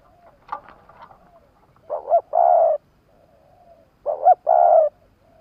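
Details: Spotted dove, a caged Vietnamese decoy bird being tested before purchase, used to draw in wild doves. It gives two cooing phrases about two seconds apart, each two short, rising notes and then a longer, steady coo. Faint chirps come earlier.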